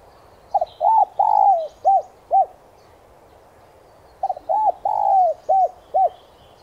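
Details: Spotted dove cooing, used as a lure to stir caged doves into calling: two low mellow phrases, each with quick short notes, a long slurred hoarse note, then two clipped coos. Faint high chirps of other birds behind.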